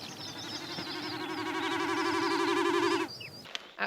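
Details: Common snipe making an unusual bleat heard all night at a wild camp in a sheep field on Scotland's West Highland Way in early May: a hollow, quavering bleat throbbing rapidly for about three seconds and swelling slightly, with faint high chirps from other birds.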